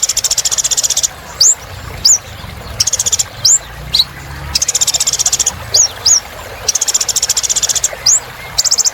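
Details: Olive-backed sunbird singing continuously, for therapy of birds that stopped singing: long bursts of fast, even, high trills alternating with single hooked rising whistles, in a regular back-and-forth pattern.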